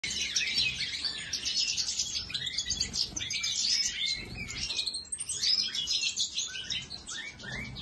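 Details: European goldfinch singing: a fast, continuous jumble of high tinkling twitters and buzzy trills, unbroken throughout.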